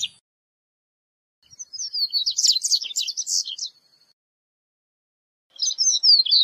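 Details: Corbatita seedeater singing in a recording meant for teaching and calling birds, a quick tumbling series of thin, high chirps and trills about two seconds long, then silence before another phrase starts.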